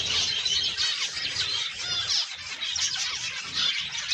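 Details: A breeding group of zebra finches keeps up a steady, busy chorus of high, squeaky, nasal calls, densely overlapping, with short bursts growing louder every second or so.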